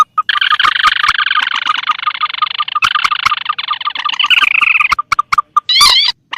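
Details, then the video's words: Mandar against tikusan lure sound: a long, dense, rasping trill lasting several seconds over faint ticking pulses, broken once, then sparse clicks and a short squealing rising note. "Suara pikat burung mandar atau pelan vs tikusan"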